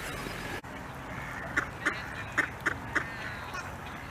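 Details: Mallards on ice in winter, quacking before flying off: five short nasal quacks spaced about a third of a second apart midway through, over steady wind-like background noise.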